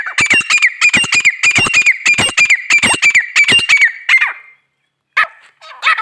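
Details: Female grey francolin calling loudly with a fast series of harsh, rasping notes repeated about three per second for over four seconds, followed by a few softer separate notes.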